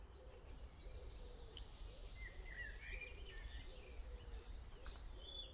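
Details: A Wood Warbler at the top end of Shillito Wood, a heath and woodland site in the Peak District, gives high ticking notes that speed into a shivering, sibilant trill of about four seconds, with other birds' brief lower notes and wind.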